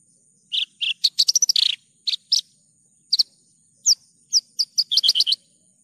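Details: Javan bush lark in energetic song, recorded as a clear training track for songbirds: short high chirps, a fast rattling trill, then a run of quick separate notes ending in a dense twittering burst.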